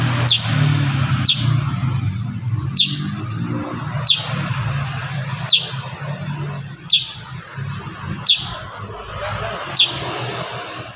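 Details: Kurincang song recorded as songbird training material in the 'tembakan rapat' style. Single sharp, falling high chips come roughly every second and a half over a loud, continuous low rumble.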